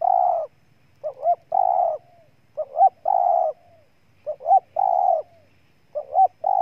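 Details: Spotted dove in Ninh Thuận, Vietnam, giving a steady run of about four coo phrases. Each phrase is a short rising double note and then a drawn-out, throaty coo, repeated roughly every one and a half seconds.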